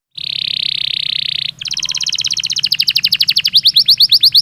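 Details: Belgian canary song opening with a steady, buzzy high trill. The trill switches to a rapid chain of downslurred notes that gradually slows into more spaced, separate chirps.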